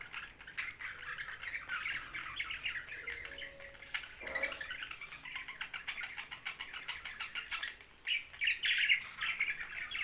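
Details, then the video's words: Young budgerigar keeping up a long stream of fast, buzzy chattering chirps, with a soft low squeak near four seconds and a louder warbled burst toward the end. "Young Budgie's Sound's"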